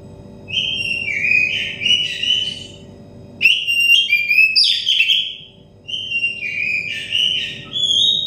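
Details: Oriental magpie-robin song aimed at getting stressed, untrained birds singing: three whistled phrases a few seconds apart, each a run of fluty notes stepping down, with faint low hum.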